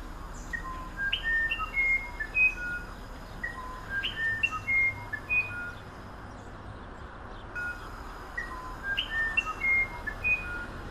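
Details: Phrases of a musician wren, each starting with a buzzy rising note and continuing as several sweet, pure whistles at different pitches. The phrases repeat with short gaps against soft background noise.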